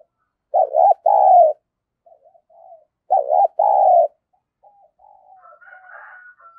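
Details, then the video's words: Lure spotted dove cooing in the fast-paced "thổ thúc gù" voice used to draw other doves. Two double-note coo phrases come about two and a half seconds apart, with quiet murmurs and a faint higher whistle afterwards. "Chim cu gáy mồi giọng thổ thúc gù gáy gọi kích mồi cực mạnh"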